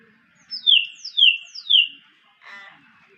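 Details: Common hill myna, locally called tiong bungoeng, giving three loud whistles in quick succession, each sliding sharply downward, followed by a short harsh, raspy burst against a quiet background.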